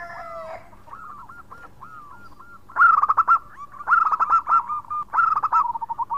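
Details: Zebra dove of local stock in full voice, 'khong crewet' song calling its companions: soft hooked coos at first, then three emphatic bursts of quick stuttering coo notes about a second apart, trailing into lighter notes.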